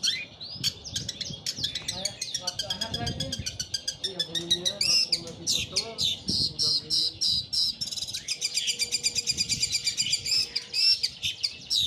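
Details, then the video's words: Long-tailed shrike singing just after its moult, its volume not yet recovered: a varied, high, chattering song of rapid repeated notes and short whistled phrases, building into fast regular trills. "cendet pentet pasca mabung volume belum pulih"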